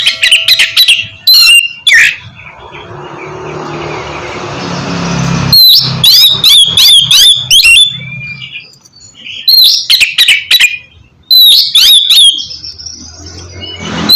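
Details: Oriental magpie-robin (kacer) singing loudly, used as a training recording to prompt a sluggish bird to sing; loud whistled and harsh phrases in bursts, with a long stretch of broad hiss between them.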